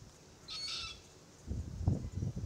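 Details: A lone wheezing squeal from an immature Forest Red-tailed Black-Cockatoo is followed by crackling and crunching as the parent birds chew green gumnuts in a Marri tree.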